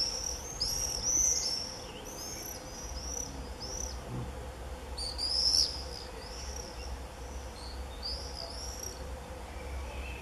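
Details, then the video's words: Common swifts in a screaming frenzy in early July 2018, giving shrill, high screams in short bursts around one and five seconds, with quieter gaps and a steady low hum beneath. "Gierzwaluw gekte, begin juli 2018"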